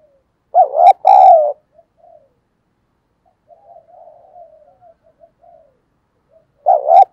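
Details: A spotted dove, roused to coo for fighting, gives a loud two-part coo at the start and another at the end. Soft, low crooning murmurs fill the quiet seconds between them.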